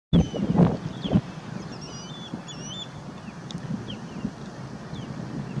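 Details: Reddish egret at Fort De Soto State Park, Florida, on 10 April 2020, giving three low, rough croaks in the first second, then quiet; thin high chirps of small birds over steady wind or surf.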